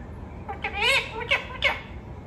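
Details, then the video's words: Talking pet parrot: three raspy, harmonic speech-like syllables at a rising then falling pitch, the middle one longest, over a quiet low background hum. "Talking Parrot"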